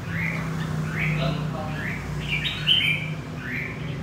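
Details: Wild-caught red-whiskered bulbul from central Vietnam gives a string of quick upslurred whistled notes, roughly one every half second, with a brief brighter flourish near the end over a low humming background.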